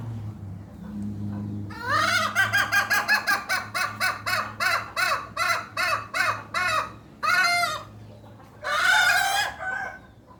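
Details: Hen giving a strange, unique call. After a quiet low hum, a fast run of about fifteen short arched notes, steadily repeated, is followed by two longer, drawn-out harsh notes.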